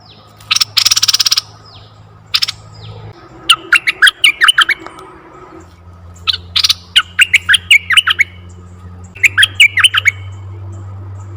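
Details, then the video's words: Red-eyed bulbul calls used to lure wild bulbuls: a harsh buzzy burst, then bubbly clusters of short rising and falling notes in quick groups, with a steady low hum underneath. "suara merbah mata merah Untuk pikat & pancingan burung merbah"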